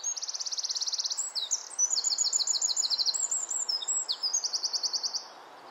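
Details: Nesting-season wren, likely singing to its mate, pours out a loud, fast song of high rattling trills broken by short sliding notes, several trill bursts over five seconds against soft background noise.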